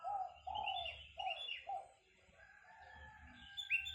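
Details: Spotted dove, an active caller, giving low rolling coos in the first two seconds, followed by quieter chirps from other birds and a faint background hum.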